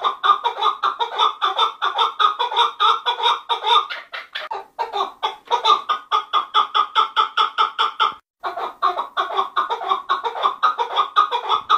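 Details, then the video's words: A chukar partridge gives a long, fast series of harsh clucking notes, about two to three per second, with a brief pause near the end. "Keklik sesi"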